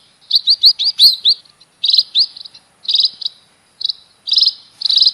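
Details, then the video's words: Munia singing a quick run of high, rising chirps, then a series of dense buzzy trilled bursts about every second, all sharp and high-pitched against a quiet background. "KICAU BURUNG PIPIT"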